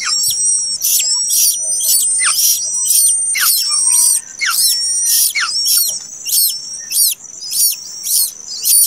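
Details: Plaintive cuckoo nestling that hatched late gives insistent, shrill, high-pitched chirps about once per second, each note a hissy burst with a short descending tail and slightly irregular spacing.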